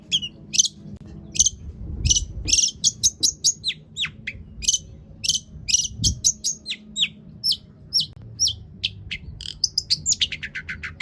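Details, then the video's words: Long-tailed shrike singing a long, full song meant to provoke other shrikes into singing: quick sharp high chirps and downward-sweeping whistles in dense bursts, ending with a fast descending trill series, faint low rumble beneath. "cendet gacor PANJANG BONGKAR ISIAN untuk PANCINGAN CENDET AGAR BUNYI"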